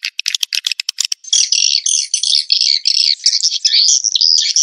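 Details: Swiftlet-house lure named Joker, edible-nest swiftlet: a second of rapid high clicks, then continuous shrill twittering chatter with wavering, buzzy notes to the end.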